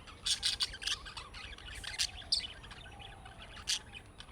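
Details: A chattering run of budgerigar chirps, the young-bird calling type that makes other budgerigars respond: quick, high, scratchy notes in dense clusters, then a few spaced sharp chirps.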